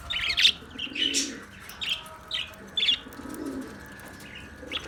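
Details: Australian parrot chirping: short bright chirps repeated roughly every second in small bursts, with a faint low hum underneath.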